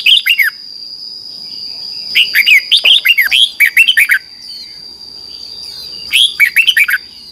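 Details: Red-whiskered bulbul in a morning competitive-singing session: short bursts of five to eight quick whistled, dipping notes separated by pauses of over a second, with a constant high-pitched tone in the background.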